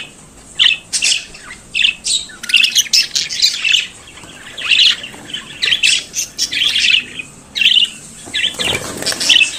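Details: Budgerigar singing and chattering as a pet, producing repeated bursts of rough chirps and warbled squawks with short pauses between them, the run continuing steadily.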